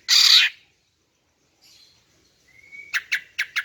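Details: Female greater green leafbird call meant to lure males: a loud rasping burst, a pause, a thin rising whistle, then four quick sharp clipped notes.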